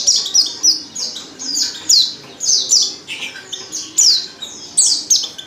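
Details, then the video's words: Oriental white-eye female calling to coax males into song, with high thin chirps sliding downward, repeated in lively irregular bursts. "pancingan pleci betina paling ampuh,bikin pleci jantan ngalas"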